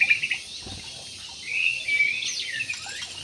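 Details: Jumbo budgerigars in an aviary. A few sharp chirps open the clip, then it goes quiet, followed by a run of high slurred whistles and warbled chatter.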